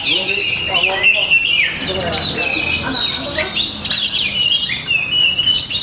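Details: Energetic Orange-headed thrush song from Bali, a continuous stream of loud slurred whistles, chattering trills and abrupt rising notes layered over one another.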